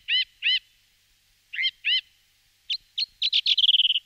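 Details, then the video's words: Song thrush (Turdus philomelos) singing: a clear, slurred phrase given twice, another doubled phrase, then sharp varied notes ending in a rapid, high chattering trill. "Певчий дрозд"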